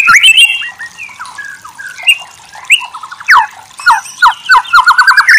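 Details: White-rumped shama masteran (training) song, lively and varied: short sweeping whistles and chattering notes at shifting pitches, ending in a fast series of sharp, rising repeated notes.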